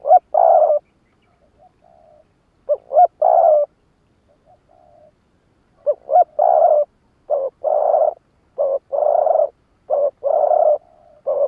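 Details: Challenge calling of a decoy spotted dove in 'lụp đờn cò' style, aimed at wild rivals. Quick double coos lead into longer held coos, with soft murmured notes between. The series grows denser and faster toward the end.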